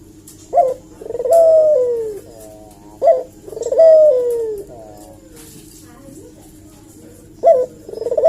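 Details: Lure call of a Eurasian collared dove, played to provoke a reply. A two-part coo repeats about every three seconds: a short accented note, then a long coo that slides slightly downward.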